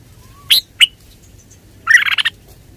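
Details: Red-whiskered bulbul song: a sharp chip, a second short note, then a warbled burst of rich whistled notes, with a faint low whistle beforehand.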